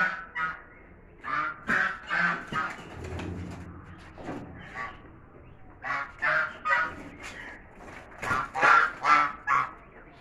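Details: Chinese geese in a fight: bouts of loud, rasping honks in rapid uneven runs, a short lull with low rumbling noise, then another burst of harsh honking.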